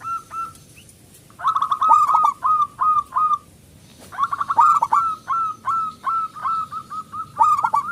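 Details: Local zebra dove song used as a lure to make other doves sing: bright, short cooing notes with downward hooks, given in rapid overlapping bursts separated by brief pauses.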